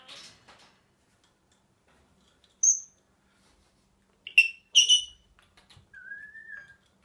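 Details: A happy Senegal parrot gives a thin high whistle, then two quick harsh squawks, then a lower whistle that rises and falls.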